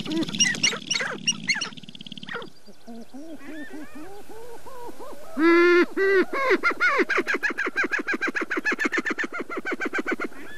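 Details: Sharp-tailed grouse at Namekagon Barrens, northern Wisconsin, in April, recorded with two shotgun microphones: a low buzzy rattle at first, then loud harmonic hooting notes and a fast train of clipped, regularly repeated clucks.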